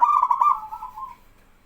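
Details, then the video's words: One phrase from a singing local male zebra dove: rapid rolling pulses run into a steady coo that fades out after about a second. He is singing to draw answering calls from other doves. "BURUNG PERKUTUT LOKAL JANTAN GACOR BIKIN PERKUTUT BAHAN IKUTAN BERSUARA"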